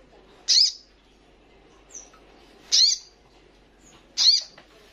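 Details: Female ruby-cheeked sunbird in heat calling for a male gives three piercing high chirps spaced about every two seconds, plus a faint thin whistle between them.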